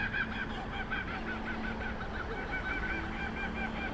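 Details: Two kookaburras perched atop a mural building during a winter street-art fair in Mayfield, Newcastle, NSW give a loud, rapid run of harsh, rhythmic cackling notes over a steady hum of outdoor street noise.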